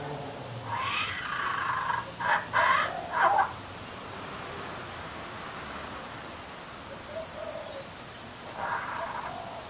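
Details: Hungry baby kookaburra perched on a clothes hoist gives a weird gurgling noise: a few short, throaty, bubbling bursts close together early on, then a pause and a fainter gurgle near the end, over steady background hiss.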